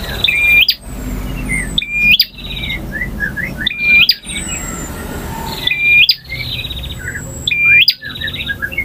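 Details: Bar-winged prinia male in full varied song, ngotot, ngalun and kristal styles: loud trilled phrases ending in a rising whistled flick, repeated about every two seconds, with scattered softer chirps between them.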